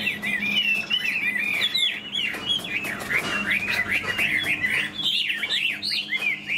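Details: Chinese hwamei in a cage, spread-tailed and flicking its wings as it sings: a loud, fluid stream of varied whistles, swoops and trills, rich and constantly changing, with a faint low hum beneath.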